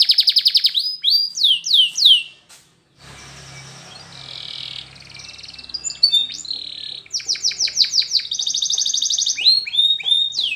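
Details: Spanish Timbrado canary training song: bright trills and falling swooped notes at the start and end, with a quieter stretch of soft, muffled background noise in the middle.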